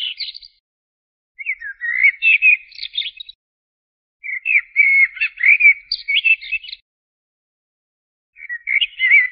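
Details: Common blackbird delivering repeated song phrases, each a rich fluting warble of varied whistled notes finished with a high, squeaky flourish, with pauses of one to two seconds between phrases; no other sounds.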